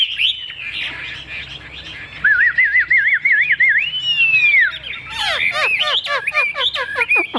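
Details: Caged hwamei known for loud singing. After soft warbling, it gives a wavering whistled trill, then one long rising-and-falling whistle. A burst of sharp, sweeping notes and clicks closes the phrase.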